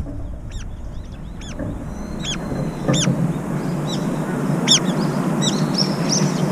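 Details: Brown-eared bulbuls jostle over a food bowl, one taking a bite and retreating. Sharp, high, arched squeals spaced roughly every half second, some paired, above steady low rumbling noise.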